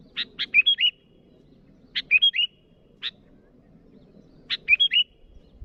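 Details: Sooty-headed bulbul calling to rivals, giving three phrases of sharp chip notes that run into short liquid whistles, each phrase about two seconds apart, over a quiet low background hum.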